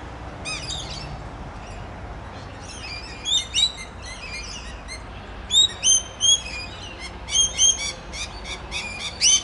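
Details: Rainbow lorikeet chatting noisily with its friends on the Olinda Creek Trail in Montrose, Victoria: quick high chirps and shrill twittering notes, scattered at first, then louder sharp calls in clusters.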